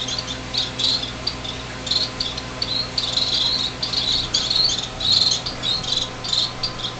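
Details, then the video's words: Baby finches, six fledglings that have just left the nest in a greenhouse in January 2007. Continuous chorus of short, high, clipped chirps in pulsing clusters, backed by a steady electrical hum. "baby finches"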